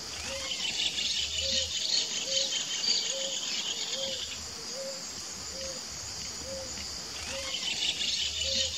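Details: Wild Ruddy Ground Dove pair in Brazil, giving a series of short, low, two-part coos at an even pace of roughly one every 0.8 seconds, against a loud buzzing insect background.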